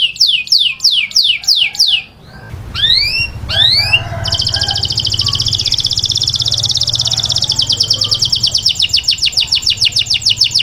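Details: Taghreed canary song used to train chicks, opening with rapid falling whistled notes, a brief pause with two sharp sweeps, then a sustained high buzzy trill over a low steady hum.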